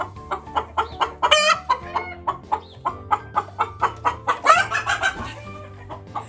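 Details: An excited hen that has just laid a fresh egg clucks rapidly, about four clucks a second, breaking twice into louder, harsher squawks, over a faint steady musical hum.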